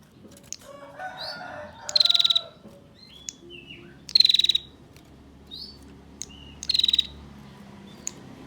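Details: Female bar-winged prinia giving ngetir calls to make males call: three dry, rapidly pulsed trills roughly two seconds apart, with scattered short chirps and some lower twittering in the background.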